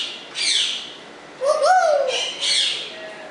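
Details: African Congo grey parrot indoors giving harsh, noisy squawks around a clear whistled note that rises, then slides down in a smooth arch, followed by another raspy squawk.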